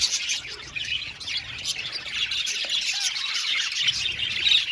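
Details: Colony of budgies kept in an aviary, many birds warbling at once in a steady bright chatter of short chirps and trills, now and then a squeakier note rising above the rest.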